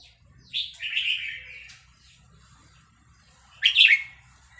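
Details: Red-whiskered bulbul of Vietnamese stock, roused by a recording of newly hatched chicks, sings two quick warbled phrases: a rolling, slurred run early on and a sharp, bright burst near the end, with quiet pauses between.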